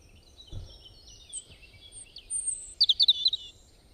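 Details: A bird with many kinds of calls: soft, drawn-out high notes and a thin whistle lead into a rapid run of about six loud, sharp, high chirps near the end. A faint thump is heard early on.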